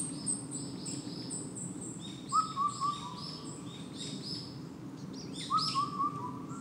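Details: An unseen Indian cuckoo close by on Gunwolsan, Gwangju, Gyeonggi, South Korea, on a June 2 morning, gives its mellow four-note whistled phrase, notes falling slightly, repeated about every three seconds; small birds twitter high above a low hum.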